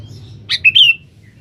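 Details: Sooty-headed bulbul in full voice, calling a rival as lure song: a single quick phrase, a sharp note followed by two clear slurred whistles, over a low rumbling background.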